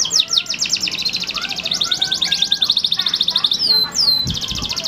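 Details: Male canary in strong song: a rapid, rattling trill of high notes held for several seconds, then quick downward-swooping whistles and a fresh burst of trills, with faint low rumbles and thuds behind.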